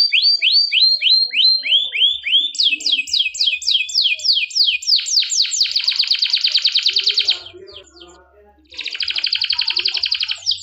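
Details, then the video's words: A canary sings a training song of bright whistled tours: rapid descending slurred notes, then faster sweeping trills and a dense rattling roll, pausing before another buzzy trill. "Canary training song!"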